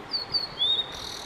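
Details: Blue-and-white flycatcher male performing his song: two high sliding whistles followed by a longer lower whistle that falls slightly, with soft hiss behind.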